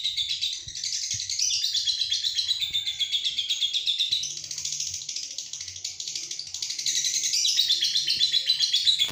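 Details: Lovebird sound used as a training lure for other birds: a long, unbroken, rapid high chattering trill that rises and falls in waves and keeps going for the whole stretch.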